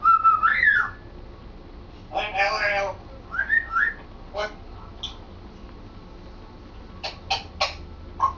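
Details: Pet African grey parrot practising talking and whistling indoors. Opens with a clear whistle sliding upward, then a harsh speech-like burst, another rising whistle, and scattered short clicks and syllables with quiet gaps.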